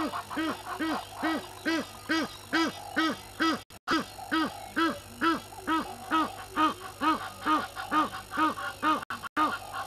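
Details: Hadeda ibis at Gowrie dam waterhole, Djuma Game Reserve, Sabi Sand, South Africa, 05:17 on 11/01/21, picked up by a live waterhole camera: loud, nasal, harmonic honking notes, each arched, repeated steadily about twice a second throughout.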